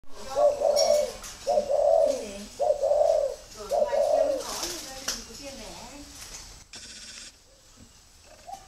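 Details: Spotted dove of a red-eyed, grey-legged type in Vietnam, cooing indoors: a series of low hoarse coos repeated about once a second, followed by fainter notes and background noise.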